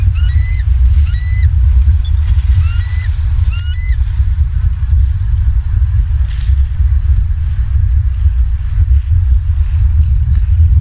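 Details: Bald eagles watched by a live camera in Southwest Florida, evening of 28 October 2022, calling in quick high-pitched piping chirps, paired or tripled, during the first four seconds; afterwards a steady low rumbling background remains.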